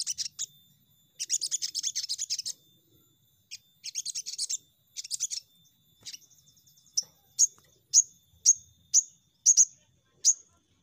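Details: Sogon song used as a lure to get birds singing quickly: high, buzzy chattering bursts, then a run of sharp, bright whistled notes repeated about every half second.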